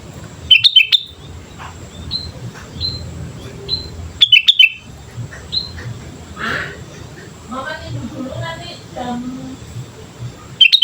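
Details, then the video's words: Energetic sooty-headed bulbul song used as a lure: short bursts of bubbly whistles repeated roughly every four seconds, with single thin whistled notes between them, and a stretch of harsher, scratchy sounds in the middle. "pancingan suara burung kutilang gacor"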